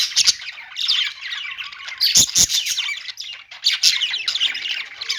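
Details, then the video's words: Budgerigars warbling and chirping continuously, a dense blend of squeaky high notes and harsh squawks from several birds. "budgies singing | budgie sounds | parakeet chirping sounds"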